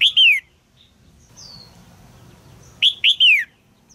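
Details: Female red-whiskered bulbul calling inside a cage to urge a young male to sing; a loud downward-sliding chirp, then a faint whistle, then a triple burst of sharp chirps ending in a falling slur.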